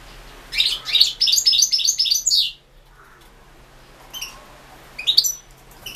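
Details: Singing European goldfinch recorded as an entry in the 2016 internet world championship for goldfinch song. A lively two-second run of chattering, tinkling notes, then near-quiet broken by a few isolated bright chirps and a short twitter.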